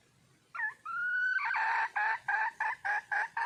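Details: Female red junglefowl in the wild seeking a mate: a hooked note and a drawn-out level whistle give way to a rapid series of gruff, evenly spaced clucks.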